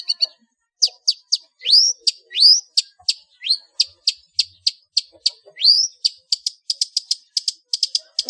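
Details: Long-tailed shrike singing ngeplong full isian, a master recording for training cage birds: varied high clicks, rising slurred whistles and downward sweeps, speeding up into a fast series of sharp notes near the end.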